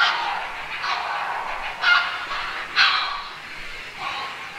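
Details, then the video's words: Grey heron: rough, hoarse squawks in irregular bursts about once a second, each broad and grating, with some overlapping cries suggesting more than one bird. "Odgłosy zwierząt czapla, dźwięki i śpiew czapli"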